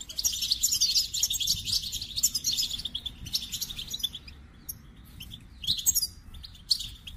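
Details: Goldfinch song delivered as a rapid, continuous stream of high jingling twitters and trills, then thinning out into scattered chirps.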